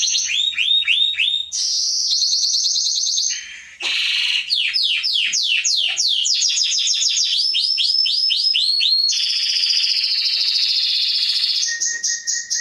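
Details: Canary song meant for training young birds: varied phrases of quick upslurred whistles, fast chattering rolls and long buzzy trills, switching pattern every one to two seconds, with sharp high notes at the end.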